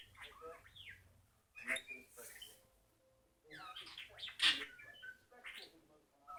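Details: A pet bird reproduces R2-D2 beeps, giving two bursts of looping whistles and swooping electronic-like chirps separated by a short pause, loud and varied.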